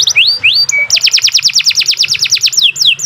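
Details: Masteran recording of canary song: looping rising whistles, a brief flat note, then a steady run of crisp falling sweeps repeated about six times a second, high and bright.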